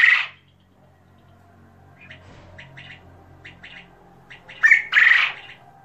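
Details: King quail opening with a loud, rough squawk, followed by soft pattering chirps and two more loud, buzzy squawks near the end.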